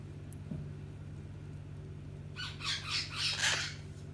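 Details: Pet Hahn's macaw being given scratches before bed. After a quiet start, a short run of harsh, raspy squawks comes in quick succession near the end, over a steady low indoor hum.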